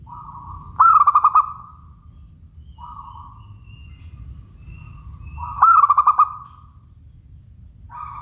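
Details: Clear, bright song of a local zebra dove: two loud phrases of rapid pulsed coos with drawn-out endings, about five seconds apart, with quieter single coo notes between them and low background noise.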